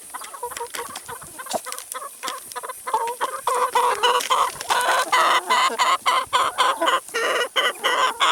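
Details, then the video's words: A flock of chickens eating salad and vegetables, overlapping clucks and murmurs building into a dense, louder chorus of busy clucking, with constant pecking clicks throughout. "CHICKENS EATING SALAD & VEGETABLES"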